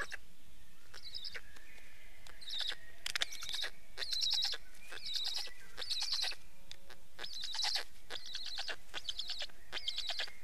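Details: Black stork giving repeated bursts of dry, rasping pulses with a wheezy hiss on top, each burst lasting under a second and following closely on the last, over a faint steady whistle and low background rumble.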